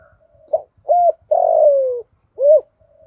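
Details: Female spotted dove used as a decoy, calling to lure males in the 'thổ pha' style with one ending note: a short coo, a rising-falling coo, a long sliding coo, then a final arched note.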